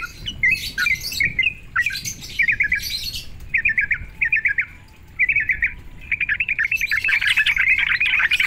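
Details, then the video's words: Sooty-headed bulbul song, used to provoke other sooty-headed bulbuls: short bubbly, chattering phrases in quick bursts, then a dense, loud, continuous chatter in the final seconds. "Sekali dengar, memancing emosi trucuk."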